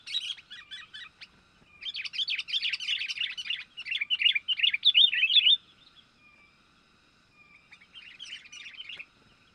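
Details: Sooty-headed bulbul calling as a lure for wild birds: dense, rapid, bubbly chatter for about four seconds, then near silence, then a softer closing burst of chirps.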